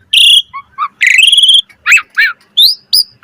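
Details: Asian pied starling, gacor mompa master song: a strong flat whistle, a trilled buzzy phrase, then evenly spaced short slurred notes.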